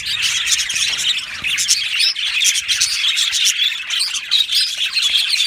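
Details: Australian budgerigars in a colony aviary: dense bright chatter of many birds, rapid high chirps mixed with a few harsher squawky notes, the chorus steady throughout.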